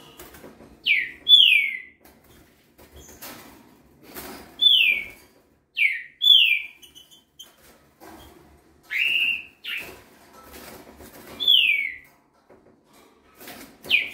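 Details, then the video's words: Juvenile green-winged saltator, a fast 'velocista' singer said to deliver 21 phrases per minute, giving short clear whistled phrases of two or three falling slurred notes every two to three seconds, with faint clicks and rustling between. "Filhote de trinca ferro velocista ! passa 21 por minuto"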